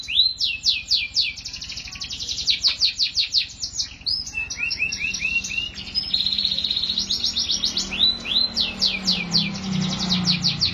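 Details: Canary song of crisp repeated downward-sweeping notes in separate tours, some higher, some lower, over a steady low hum with a faint low drone later.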